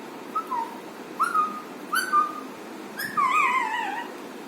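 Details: Pet Alexandrine parakeet producing funny whistles: three short level whistled notes in a row, then a longer wavering, warbling whistle that dips and rises. The room has a constant hissing background.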